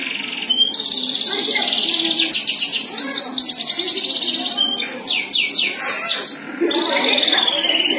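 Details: A domestic canary, possibly a Yorkshire canary, sings a loud, high, continuous song of rapid trills and rolling tours, shifting between buzzy rattles and fast repeated chirps.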